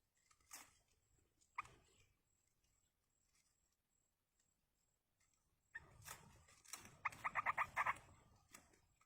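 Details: Wild yellow-vented bulbuls, a parent feeding its chicks. After quiet stretches with a few clicks comes a burst of rapid, harmonic, nasal begging notes repeated several times a second, mixed with rustling.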